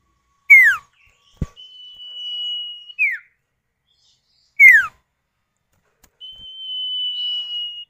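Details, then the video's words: Common iora (sirtu or cipow), male and female calling in turn, a lure to set other birds singing: loud sharp downslurred notes alternate with long, level, thin whistles held over a second. "Pancingan Burung Sirtu atau Cipow, suara jantan betina bersahutan"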